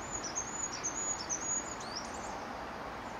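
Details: Goldcrest singing at Staffordshire Wildlife Trust HQ, England, 9 March 2016: a very high, thin series of quick repeated notes rising into a brief twittering flourish, over steady background hiss.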